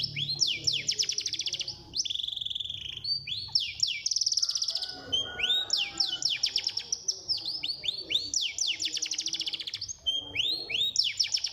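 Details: Continuous high song for encouraging caged birds to sing: cascades of rising whistled sweeps and rapid trills, repeated in waves by overlapping birds, a low murmur faintly underneath.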